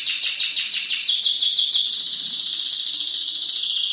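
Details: Caged canary pouring out a rapid, bright trill of repeated high syllables, the phrase dropping slightly in pitch midway and running on without a break.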